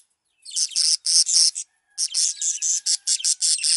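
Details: Male budgerigar: harsh, buzzy angry chattering bursts with a short pause, then a fast run of scratchy, clicking, high-pitched warbled song notes; anger and singing.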